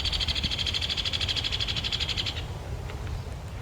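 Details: A Hairy Woodpecker gives a shrill, dry, angry-sounding rattle, a flat trill of rapid notes held at one pitch for about two seconds, not descending at the end, unlike the Downy's; over a low rumble.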